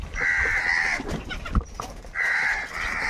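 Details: Two long, drawn-out harsh caws about a second each come from crows angrily fighting for food. Soft clicks and scuffling fill the gap between them.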